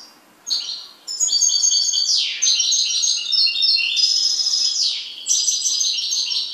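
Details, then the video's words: A domestic goldfinch pours out continuous, fast twittering song, with ringing trills, buzzy slurred notes and several quick descending sweeps woven through the jangling phrases. "MI JILGUERO"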